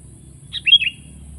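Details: Sooty-headed bulbul, known locally as kutilang, gives one brief lively phrase of three or four quick slurred whistled notes, the middle note loudest, against a steady thin high whine and low background hum.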